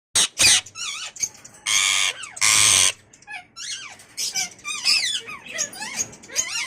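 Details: Pet Indian ringneck parrot, an imported bird, kept indoors: a few loud, harsh, broad screeches in the first three seconds, followed by quicker chattering notes and short whistles that mostly slide downward.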